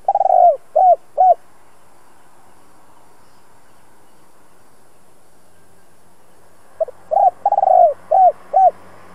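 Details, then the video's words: Spotted dove with a two-ending 'giọng đồng' voice, used to rouse decoy birds, sings three clear arched coos, falls silent for five seconds, then repeats a full phrase of pips, a rolled coo and arched coos. "Chim cu gáy hai hậu giọng hay kích bổi tập mồi hiệu quả nhất. Cu gáy mồi cây kích bổi"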